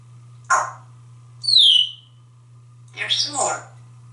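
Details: Pet male African grey parrot in a Texas home, chattering after his shower: a short speech-like syllable, a bright descending whistle, then a rapid garbled phrase, over a constant low electrical hum.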